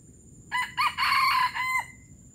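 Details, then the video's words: Junglefowl from Palembang giving a gerabas crow: two short harsh notes, then a long rough drawn-out middle section and a brief falling tail, about 1.3 seconds in all, over quiet low background hiss. "Ayam hutan palembang gerabas gerabas"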